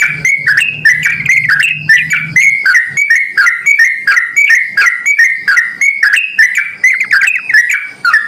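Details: Lively yellow-vented bulbul calling as a lure for other bulbuls: an unbroken stream of chattering, fluty whistled notes, with a low hum fading out after the first seconds.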